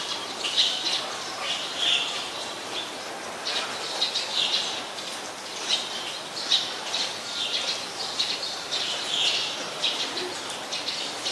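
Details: Black-collared Starling (Gracupica nigricollis) gives harsh, scratchy squawks every two seconds or so over a steady hiss of rain, on a rainy day in Ubon Ratchathani, Thailand, 15 October 2021.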